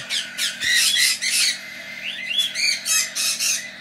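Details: Baby monk parakeets (Quaker parrots), just taken from the nest for handfeeding, give harsh, raspy squawks in quick uneven bursts, several overlapping, with rising and falling buzzy notes between them, indoors in a loud aviary.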